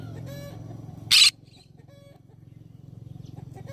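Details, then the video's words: Green-cheeked conure giving a single loud, grating screech of about a fifth of a second against a low droning hum, with faint softer bird calls before and after. "green cheek conure parrot sound"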